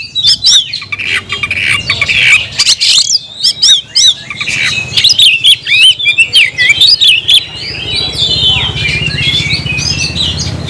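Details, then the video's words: Oriental magpie-robin (kacer) singing to call a rival to fight: loud, varied whistled phrases with sharp chirps and rapid trills, fading to a quieter stretch over a steady low hum. "kacer gacor‼️kicau burung Kacer gacor memanggil lawan tarung"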